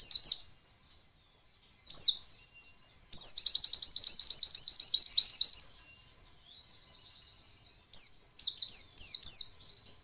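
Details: White-eye song played to provoke lazy caged white-eyes into singing as in the wild, said to be a female's voice: high thin chirps, then a fast run of about twenty sweet trilled notes, then descending slurred twitters.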